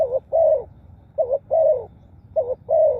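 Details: Spotted dove cooing, three phrases in three seconds, each a short low note followed by a longer, slightly wavering coo, evenly spaced with brief pauses; faint low rumble behind.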